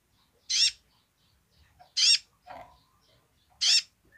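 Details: Sunbird, locally kolibri ninja, in energetic basic song: three loud, scratchy, high bursts about 1.5 seconds apart, with a softer, lower rasping note between the second and third.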